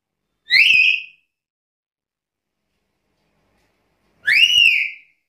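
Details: Black-capped lory delivering two loud rising whistles nearly four seconds apart. The second is longer and arches over at the end, with silence in between.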